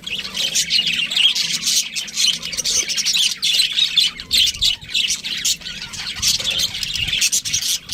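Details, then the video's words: Pet budgerigar chattering: steady high warbled twittering broken by short gaps, squeaky and scratchy notes running through the whole passage. "cute budgie chirping sounds"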